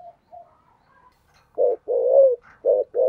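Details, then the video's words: Spotted dove in the 'thổ sấm' voice style giving 'thúc gù' coos. Soft faint notes come first, then loud, low, throaty coos, one drawn out and slightly wavering, with short ones before and after. "cu gáy giọng thổ sấm thúc gù quá hay"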